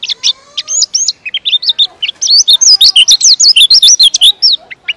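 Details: White-eye, a popular Indonesian cage songbird, pouring out a long, tight-paced song of high looping chirps, starting in short bursts and then speeding into an unbroken rapid string of twisting notes.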